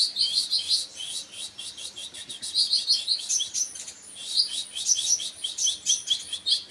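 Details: Continuous high, rapid twittering from a kolibri wakul sunbird: thin chirps and short trills tumble together with hardly a break, bright and sharp throughout.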